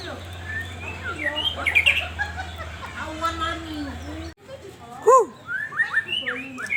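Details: White-rumped shama song used as a lure to raise breeding drive. Cluttered squeaky chirps run over a low hum. After a brief cut, clear slurred whistles rise and fall, with quick high chirps between them.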